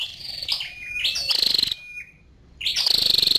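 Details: High thin chips and a short buzzy trill from a female scarlet-backed flowerpecker, followed by a brief flat tone, a pause, then another rapid rattling trill.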